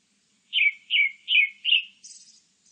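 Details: Four evenly spaced, rich whistled notes, each sliding downward, then a thin, very high trill closing the phrase; a Grey-backed thrush singing in quiet surroundings.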